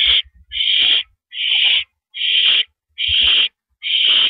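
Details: Owl sitting on a porch perch on the evening of April 9, 2012, at 8:17 PM, giving harsh, hissing screeches of about half a second each, repeated steadily a little more than once per second, with faint low knocks between them.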